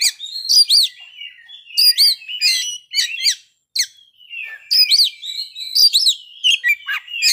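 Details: A playful Oriental magpie-robin song made of sharp, high, chevron-shaped notes and chirps in short clusters, with a brief silent break partway through, then further bright, varied phrases.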